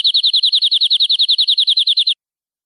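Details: Canary song meant for young birds to learn from: about twenty slurred high notes repeated quickly and evenly for two seconds, then stopping abruptly into silence.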